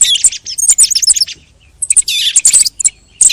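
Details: Short burst of thrush song from the end of the hunting season: two loud clusters of bright, squeaky, tumbling notes separated by a brief quiet gap.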